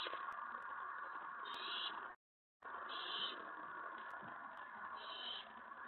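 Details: Owlet inside a nest box at night, May 19, grows excited as another owl or owlet lands on the tray after a mouse delivery. Steady rasping hiss with brighter, higher hissing bursts, broken by a brief silent gap.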